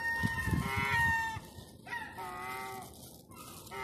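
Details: In lockdown Eastbourne, East Sussex, UK, hungry gulls on Terminus Road vocalise for food, giving whining, drawn-out cries that slide slightly downward, two to three overlapping, with traffic-like rumble in the background.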